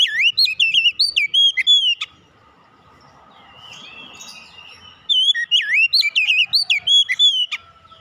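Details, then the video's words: Kacer, or oriental magpie-robin, singing in a recording meant to get a bird that has stopped singing going again: two bursts of sharp, looping whistles and quick chirps, separated by a three-second lull with faint background hiss. "kicauan ampuh mempercepat pemulihan Kacer macet bunyi langsung gacor"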